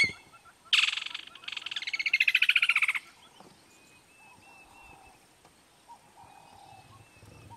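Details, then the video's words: A Woodland Kingfisher calling from a tree in Kruger National Park in summer gives a loud, harsh opening note running into a rapid, slightly descending trill of about two seconds, with fainter birds calling in the background. "Woodland Kingfisher calling"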